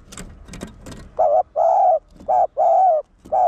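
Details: Spotted dove decoy, one-ending style for rousing caged males: a few sharp taps or clicks open, then steady flat coos alternating short and drawn-out, closely repeated.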